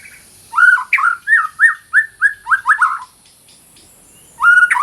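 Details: White-rumped shama, a female in breeding condition calling a male, used as training song for shamas that stopped singing: a quick run of about ten slurred whistled notes, each rising then dipping, followed by a pause and a brighter whistle.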